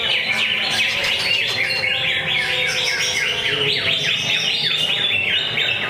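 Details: Contest greater green leafbird, a singing bird at a weekly Friday practice competition, delivering fast loud whistled phrases that swoop up and down and repeat in quick succession, with other birds' song mixed into the background.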